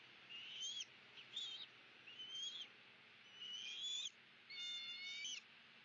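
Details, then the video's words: Bald eagles of a pair with their young eagle greet the new day at dawn in fog near their nest in Southwest Florida on 23 March 2017. High, thin, chattering whistled notes come in short bursts, ending in a harsher, ringing series. "Eagles~ Goodby Fog; "Good Morning" Sunshine!"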